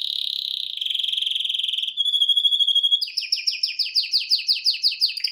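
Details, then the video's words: Canary singing indoors while watching a screen: a smooth rapid trill, a held whistle, then a series of quick downward-sweeping notes repeated about three times a second. "Best Canary singing live - Serinus Canaria"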